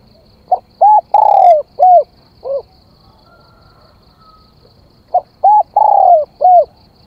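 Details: Spotted dove used as a decoy, calling to lure wild doves: two phrases of low, hollow cooing, each a short note, a rounded coo, a long drawn-out coo sliding downward, then two shorter coos, separated by a quiet pause.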